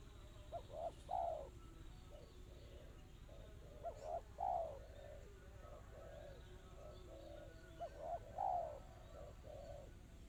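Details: Spotted dove, called tekukur, singing a fast, tightly packed 'kristal' style song: soft low cooing phrases of three to four notes, repeated about every four seconds, over a steady background hum.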